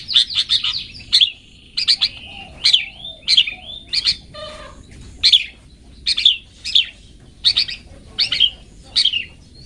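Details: Long-tailed shrike singing a 'toet toet' style song, recorded as a training track for pet birds: rapid harsh, scratchy chirps repeated in bursts, about fourteen notes in ten seconds, with a few low slurred whistles in between.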